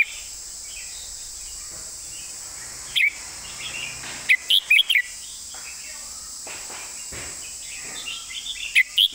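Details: Clear master-pattern song of a red-whiskered bulbul: short, separated phrases of sharp whistled notes, sometimes in quick threes, repeated over about nine seconds against a steady high hiss and faint chirping.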